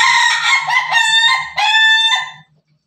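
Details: Rooster crow, a chicken identified as Pelung, Bangkok and ketawa (laughing chicken): a loud, richly harmonic crow broken into about four choppy, laughing segments that step in pitch, fading after two and a half seconds over a faint steady low hum.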